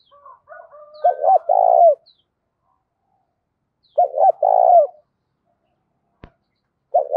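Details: Spotted dove, a vigorous decoy bird in the 'thổ cục đình' voice style, calling to lure wild doves. Low hollow phrases: two short clipped notes, then a long rolling coo, about every three seconds.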